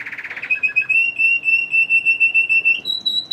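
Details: Male Red Factor canary kept indoors, orange from a diet lacking red factor food, singing early in the morning: a brief buzzy burst, then a long steady rolling trill on one pitch, stepping up higher at the end.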